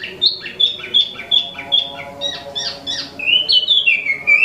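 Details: Actively singing imported Wambi mini, known as Tieu Mi, caged: a quick series of repeated whistled chips, then falling slurred whistles in an even rhythm, with a faint low hum.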